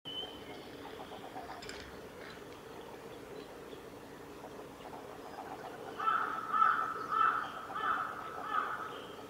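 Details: A male Red crossbill at Kawaguchiko Field Center on 14 April 2018 gives short, clipped mid-pitched call notes, about twice a second over the last few seconds, after a quiet stretch with a faint high whistle.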